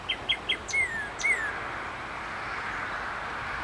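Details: Male northern cardinal singing outdoors in hot sun: three short sharp high notes, then two clear whistled notes sliding downward, over a constant hiss of background noise and faint insect-like buzz.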